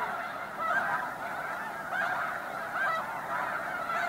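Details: Evening gathering of resting snow geese at Bosque del Apache National Wildlife Refuge near Socorro, New Mexico: a constant wall of overlapping honking from many birds, with a few higher yelps rising above the din.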